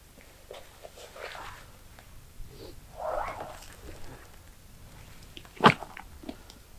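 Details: Black grouse at a spring lek deep in a wet swamp, recorded from a photo hide: soft, low bubbling murmurs, then one sharp, sneezing hiss near the end; the rest is quiet.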